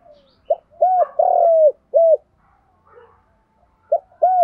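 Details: Spotted dove, male and female cooing, 'giọng đồng' style for training decoy birds: a brief note, then short, long and short soft hoots, and a fresh phrase starting near the end.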